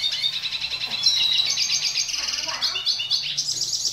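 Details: Dilute red siskin in full song, used as a tutor for young birds. A dense, high-pitched warble of quick chirps and rattling trills runs almost without pause.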